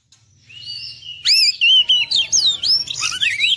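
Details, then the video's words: Oriental magpie-robin (kacer) singing in the full isian, ngerol gacor style: after a quiet low hum, a loud rapid run of varied whistled notes, sweeping up and down with quick slurred turns and sharp chips. "Kacer Full Isian ngerol gacor dorrr"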